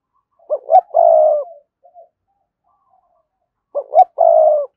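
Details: A spotted dove coos to call rival males to fight. Each phrase has two quick, clipped notes followed by a long, husky coo, with a pause of about three seconds between phrases in quiet surroundings.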